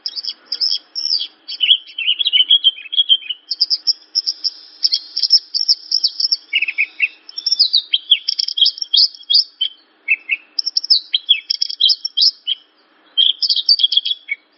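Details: Javan bush lark singing for tutoring young cage birds, a long continuous flow of high chirped phrases, quick rattles and downslurred notes, with only brief gaps throughout.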